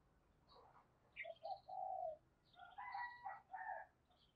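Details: Spotted dove decoy cooing to call new wild birds, heard at a distance over background hiss, with higher chirping notes from other birds mixed in.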